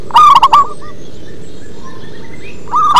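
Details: Local zebra dove with a deep voice: a single loud, quick, stuttering burst of coos at the start, then near quiet until another phrase begins at the end.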